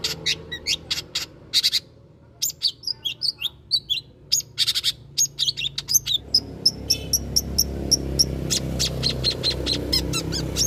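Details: Long-tailed shrike song used as a lure for other birds: lively runs of sharp chips and scratchy notes with short gaps, followed by a long rapid train of high thin whistles over growing background rumble.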